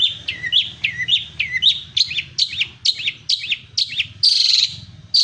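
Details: Long-tailed shrike singing a fast series of looping, whistled chips with downward hooks, repeated about twice a second, ending in a harsh buzzy note, with a low hum in the background.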